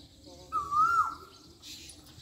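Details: Asian koel in a Pakistani village gives a single clear, whistled note lasting about half a second, rising slightly and then holding steady before falling away, over faint background hiss.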